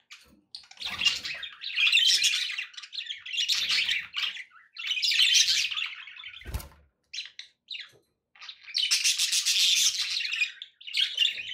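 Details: Budgerigar song meant to keep a pet parrot company and encourage it to eat and sing: long phrases of loud, buzzy, grating chatter with rapid chirps, repeated in waves with brief gaps.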